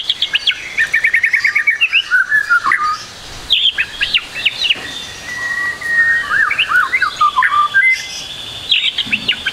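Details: White-rumped shama song used as a training recording to get quiet birds singing: a fast run of repeated chirps, then varied whistled notes, sharp slurred calls and downward sweeps in busy bursts.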